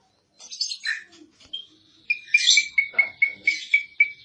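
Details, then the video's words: Asian pied starling (jalak suren), kept songbird, giving mixed scratchy notes, then a clear whistled note repeated about four times a second in a steady series. "Kicau burung jalak suren |Burung kicau jalak suren masteran|jalak uren gacor 2022"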